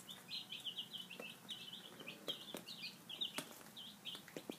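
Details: Baby chicks, five days old, feeding at breakfast time: a steady chorus of high, piping peeps, short and repeated many times, punctuated by sharp pecking knocks and soft scuffling.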